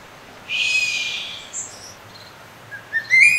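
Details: Crested serpent eagle calling: a harsh, noisy burst is followed by short whistled notes that rise in pitch and grow louder toward the end, ending in a loud, clear, high whistle.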